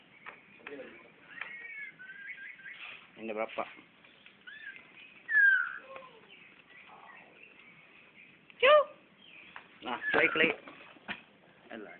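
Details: Magpie-robin in Brunei, 2013, facing a mirror. Scattered whistled and chattering notes, a short rattling burst and a few sharp calls, broken up by handling knocks and clatter between phrases.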